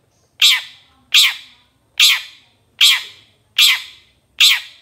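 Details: Long-tailed shrike on a master track for training songbirds, giving loud, harsh, rasping squawks. Six calls come evenly at under one-second intervals, each starting abruptly and trailing off.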